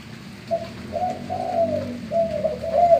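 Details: Cooing of a male spotted dove with a deep, gembur-style manggung voice, meant as a lure for other doves; a short note followed by long, smooth slurred coos and a final rising-falling phrase.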